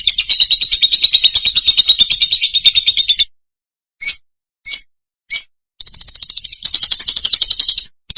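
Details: Loud lovebird song: fast, shrill, continuous chattering for three seconds, then silence broken by three isolated short chirps, then the rapid high twittering chatter resumes and continues almost to the end.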